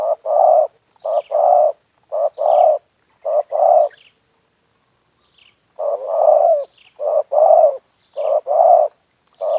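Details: Spotted dove cooing in a yard, its call serving to lure doves. A run of short and long coo pairs is broken by a pause of about a second, then the same steady series resumes. Faint chirps from other birds in the background.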